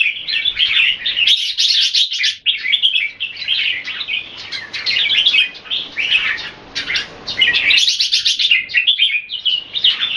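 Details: Kept red-whiskered bulbuls performing display in a Singapore-style bout: almost nonstop loud, jumbled warbles and chirps, several birds overlapping, with high thin accents.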